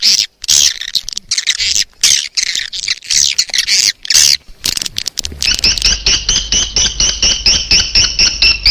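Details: Lure sound for calling edible-nest swiftlets: rapid harsh chattering broken by brief silences, changing to an even run of two-tone chirps, about two each second, over a low hum.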